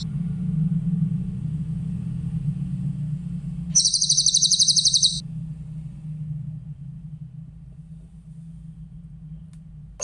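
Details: Grey-headed canary-flycatcher singing clearly, a recording meant for training other songbirds: a single high, rapid, evenly pulsed trill of under two seconds, set in long quiet stretches with a constant low rumbling hum.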